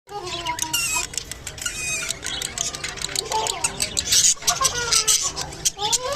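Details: Japanese budgerigar during mating, giving busy chattering warble: dense dry clicks mixed with short rising and falling whistled notes, continuous throughout.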